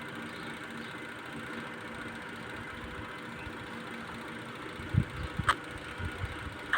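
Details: A steady engine idles with a low hum throughout, and a few sharp knocks and clicks come near the end; no animal voice is heard.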